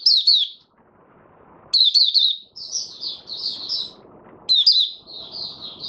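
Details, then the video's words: White-eye (mata puteh) performing buka sing, open song: short bursts of bright, fast-descending chirps separated by stretches of softer, sustained high warbling, with a faint low rumble in the background. "Mata Puteh Raja Stablizing his form buka sing 08012022"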